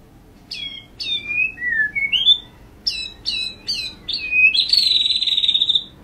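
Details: White-rumped shama in full tembakan song: a string of separate downward-slurred whistles, some rising, followed by a long, loud buzzy trill at the end.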